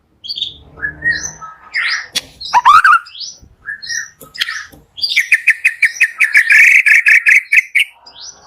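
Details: Morning white-rumped shama song used to trigger quiet shamas: scattered whistles and harsh notes, then a long steady series of rapid repeated whistled notes.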